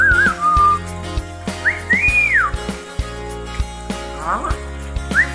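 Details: A pet lory (nuri), a talking bird, gives clear whistled phrases, some wavering and some rising then falling, spaced across a few seconds over a steady background hum of music.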